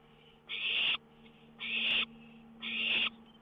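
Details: Owl perched on a lookout after 1 a.m. on May 19, 2013, with a songbird close by; three loud rasping hisses, roughly one per second, separated by quiet hum-filled gaps.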